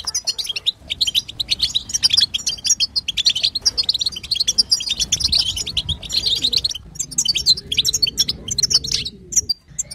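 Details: European goldfinch female in batbata chatter, sounds meant to make a male start singing: quick high-pitched tinkling chirps in tight runs, with short pauses near the start, middle and end.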